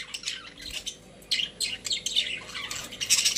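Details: Household budgies in a cage chirp and warble in a soft continuous jumble of high scratchy notes, growing louder toward the end, with a faint steady hum behind.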